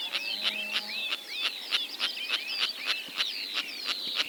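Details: A small flock of about eight critically endangered Sociable Lapwings in Kazakhstan, recorded in 2025, gives harsh, rasping, chattering calls that overlap rapidly at about three per second, with no other clear sounds.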